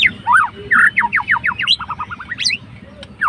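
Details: Fighter white-rumped shama provoking a rival's emotions with a dense run of loud downslurred whistles, a rapid series of short notes, and a final high rising flourish over low hum.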